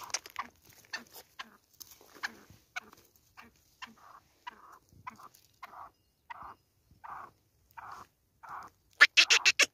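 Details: Black francolin call used as a hunting-trap lure: soft clicks, then a run of short, harsh, nasal notes about every half second, ending in a burst of loud grating notes.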